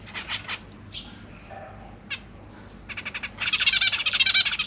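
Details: Zebra finches kept in a cage, 25 January 2023, with three juveniles and three newborn babies being fed by their parents, GoPro Hero 8 recording: a few short chirps and quiet pauses, then rising, fast, rasping begging that grows loud and continuous.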